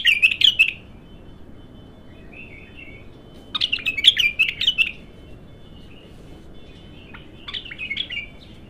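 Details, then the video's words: Untrained bulbul singing during its first song outburst: bursts of bright, warbled notes, with quiet gaps and soft trailing whistles between phrases. "تغريد الابتر"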